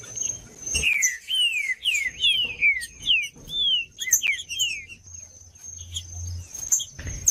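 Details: Green-winged saltator singing a phrase of about six loud, slurred whistles, each sliding downward, given in quick succession and then stopping; a steady thin high tone and scattered high chirps run behind.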